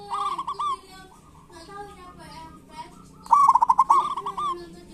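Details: Lure song of local zebra doves in kerot and bekur style, meant to rouse doves that seldom sing. Short trilled coos build into one long, loud, stuttering rolled phrase, with other doves cooing faintly.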